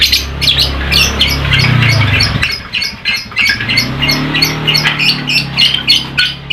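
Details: Lovebird calling as a lure meant to provoke other lovebirds to sing. It gives a fast, irregular run of shrill, clipped squawks and chirps, roughly three per second, over a low rumbling background.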